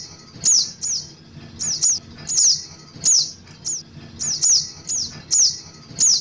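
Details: Ruby-cheeked sunbird, young-bird call used as a lure for trapping. High, thin, sharply falling whistled notes, often in quick pairs, repeated steadily about every half second over a quiet background with faint low hum.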